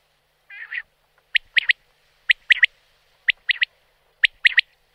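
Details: A soft, wavering nasal note from a wild common quail leads into four clipped three-syllable phrases, evenly spaced roughly a second apart, with nothing else audible.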